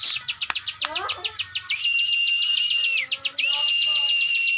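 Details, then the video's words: Ciwah, or plain prinia, in lively song: rapid, sharp high ticks stacked over a long flat whistled tone, broken by a short pause, with faint lower chirping underneath. "ciwah gacor ngebren, burung ciwah anda dengar langsung gacor"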